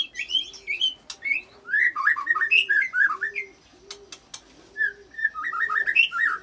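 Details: White-rumped shama singing with cililin and canary fills, played to provoke other shamas; rich, rapid warbled phrases in bursts, with a soft, low dove coo repeating underneath about once a second.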